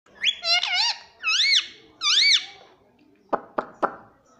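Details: Pet parrot indoors in a small room, uttering three clear rising-and-falling whistled phrases in the first two and a half seconds, followed by three sharp clicks or taps.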